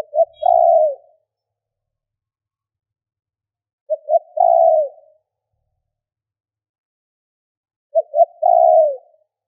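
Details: Spotted dove lure call: three phrases, each of two quick short coos and a longer drawn-out coo, repeated roughly every four seconds against complete quiet.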